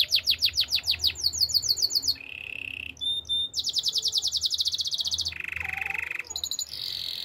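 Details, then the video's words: Spanish Timbrado canary singing a training song: rapid high trills of repeated notes, shifting to a steady buzzy rolling tone, a brief pure whistle, then more fast bright trills and another low rolling section. "Canaries spanish timbrado songs for training"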